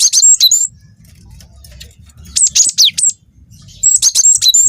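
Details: Young cinereous tit, a persistent singer, giving clipped bursts of very high, sharp whistles and quick downward sweeps, three bursts with a second or more of faint background hum between.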